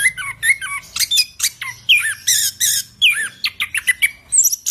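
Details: Anis kembang, the orange-headed thrush, in busy song: rapid sequence of squeaky upslurred and downslurred whistles, harsh raspy bursts and sharp ticks, delivered almost without pause over a faint low hum.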